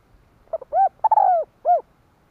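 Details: A decoy spotted dove calls to draw wild birds, 2023. A single clear phrase of two short lead-in notes, an arched coo, a longer falling coo, and a last rounded note over quiet background.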